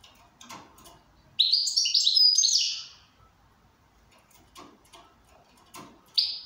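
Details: Goldfinch, said to be in good condition, sings one rich phrase of rapid, high, liquid twitters lasting about a second and a half, followed by soft clicks and one final sharp chirp.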